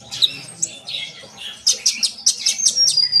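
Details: Sunbird singing vigorously, kept to prompt other birds to sing: high thin chirps and short whistled notes, then a faster run of sharp bright notes repeated about twice a second with a level whistle near the end.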